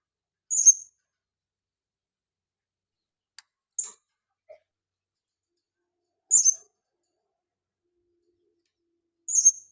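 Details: Lure call of a female blue-crowned hanging parrot: four thin, piercing high chirps at intervals of roughly three seconds, plus a tiny soft tick, against otherwise silent background.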